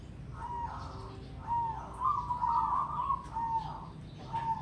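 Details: A perkutut (zebra dove), a crossing-bred bird of "triple ketek" rhythm, sings soft, rounded coos with quick stuttering notes run together between longer tones, over a low steady hum.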